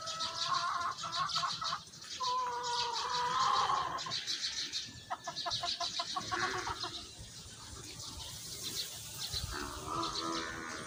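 Baby sparrows give busy, high chirps and short harsh notes in rapid runs, several voices overlapping throughout.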